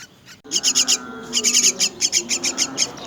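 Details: Myna chicks being fed, uttering fast, uneven rasping begging notes high in pitch, with a faint lower hum running beneath.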